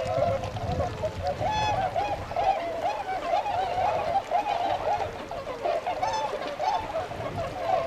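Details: Tundra swans at the Gotenda retention pond in Azumino, Nagano, Japan, on 22 February 2013, setting out to feed in nearby rice fields: a continuous chorus of many overlapping nasal honks, some more bugling notes rising above.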